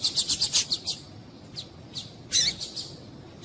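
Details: Calls of a female double-collared seedeater, used to excite males into song: a fast burst of about seven thin, high ticking notes, then scattered softer chips and a short slurred note.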